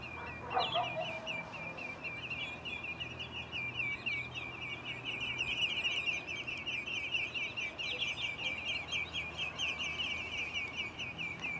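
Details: Little ringed plover, 27 April 2014, near water and mud, giving a fast, high, slightly rasping string of repeated notes opening with a brief sharp whistle, over a steady background hiss.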